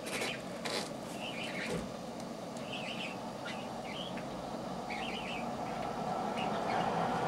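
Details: Cockatiel recorded on 13 September 2009, giving short warbling chirps in quick bursts of two or three notes, repeated several times over a steady background hiss, with a few sharp clicks early on.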